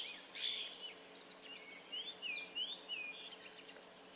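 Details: Streaked laughingthrush, Trochalopteron lineatum, at Dalhousie, Himachal Pradesh, India, in June 2018: a run of clear whistled and slurred notes, rising and falling, over a steady hiss of background noise.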